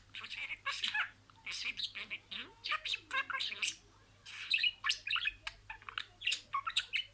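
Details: Budgerigar imitating words as a pet. Steady rasping, squeaky chatter comes in rhythmic bursts about every half second, with brief gaps throughout.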